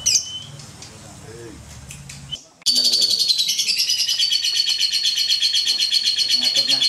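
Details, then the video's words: Contest-champion lovebird from Klaten, Indonesia, delivering its ngekek, a long song it can keep up for three minutes in competition: after a brief murmur of voices, a sudden unbroken burst of high, rapid chattering trills pulses about four times a second. "LOVE BIRD RORO, 3 MENIT NGEKEK"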